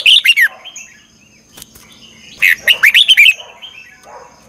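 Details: Red-whiskered bulbul in morning song training, sung as a lure voice for other birds; two bursts of quick, bright, slurred whistles separated by a quieter gap with a faint steady high tone and a soft click.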